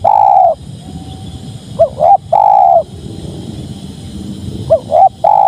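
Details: Spotted dove delivering soft coos: long level notes alternating with quick two-note pairs, the phrases spaced a few seconds apart over faint steady hiss.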